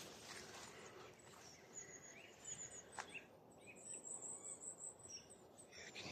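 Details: Loads of long-tailed tits at a sand pit lake in East Tilbury on 13 November give thin, high, buzzy and twittering calls in a loose scatter over steady background hiss and faint outdoor noise.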